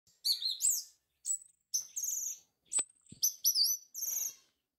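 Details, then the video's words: An orange-headed thrush sings a quick run of high, varied whistled phrases with rising and falling slurs and brief pauses, with a few soft clicks, used as a lure to get a silent bird singing. "Pancingan Suara Anis Merah Bisu"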